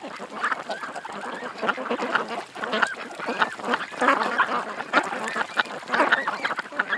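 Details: A group of ducks at a creek gives steady overlapping quacks, harsh and nasal, with occasional rising squeaky notes among them.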